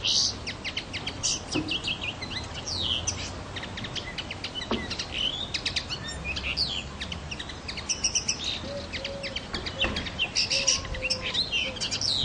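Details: Common linnet singing a long, lively twittering sequence of fast chirps, ticks and fluty whistles, with brief low hooting notes from another bird in the background and steady hiss.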